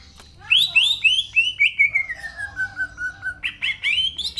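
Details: Energetic natural song of a green leafbird (cucak ijo): a few loud whistled notes lead into a long sliding whistle that falls gradually, then quick rising whistles resume at the end.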